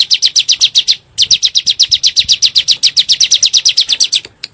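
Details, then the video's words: Bar-winged prinia, local name ciblek gunung, 'nembak' style lure recording meant to provoke kept birds: fast, even series of high piercing chirps, one short break near the first second, then the rapid series resumes. "PANCINGAN SUARA BURUNG CIBLEK GUNUNG NEMBAK"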